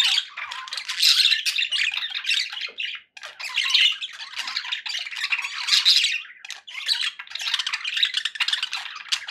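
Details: Pet budgies in good spirits keep up busy buzzy warbling and squawks, waves of dense chatter separated by two brief near-silent gaps, several birds calling together.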